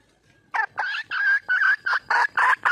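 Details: Red junglefowl calling to attract a mate, heard loud and close: eight abrupt, raspy cackling notes in quick succession, each short and clipped, the series speeding slightly toward the end.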